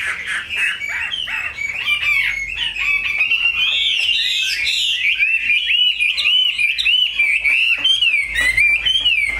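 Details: Chinese hwamei kept as a cage bird sings a long, loud, varied warble of sweeping whistled notes, rising and falling slurs packed tightly together, with faint ticking sounds behind.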